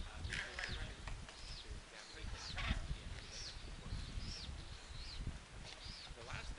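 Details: Gregarious acorn woodpeckers busy at a granary tree holding acorns. Repeated raspy, arch-shaped calls sound every half second or so, irregularly, over low rumbling background noise.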